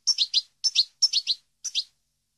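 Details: European goldfinch recorded for training captive birds: groups of two or three short, high, twittering chirps, with brief pauses between groups and a clean, quiet background.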